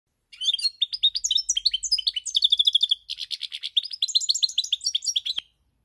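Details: European goldfinch singing a fast, continuous twittering song of bright chirps, trills and short buzzy notes, rising and falling in quick succession for about five seconds before stopping abruptly.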